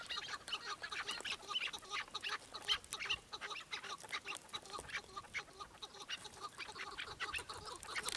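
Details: Chukar partridge delivering a steady chattering sequence of short, harsh chuck notes, around two to three each second, with light background hiss.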